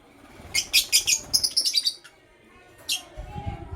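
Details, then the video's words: Morning chirping from a blue opaline pet lovebird: a quick series of about a dozen sharp, high, rasping chirps, then silence, one last chirp and a low rumble at the end. "Lovebird Chirping Sounds - LoveBird Sings"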